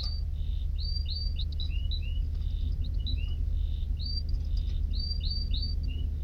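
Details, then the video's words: Canary singing: high, clear, upward-curving whistled notes in phrases, each with a few slurred syllables, over a constant low electrical hum. "تغريد طائر الكناري"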